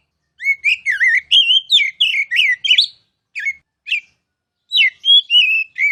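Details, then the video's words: Oriental magpie-robin (kacer) singing loudly and continuously as a masteran training song, called gacor: rapid runs of clear whistled, slurred and warbled notes, some rising and falling, in bursts separated by short pauses, with no other sounds. "KICAU MASTERAN KACER CALON JUARA!!!"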